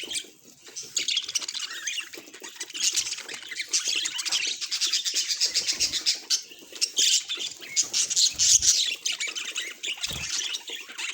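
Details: Budgerigar kept as a pet, giving fast repeated high chirps and scratchy warbling in quick pulses, a steady chattering stream with occasional slightly louder squawky notes.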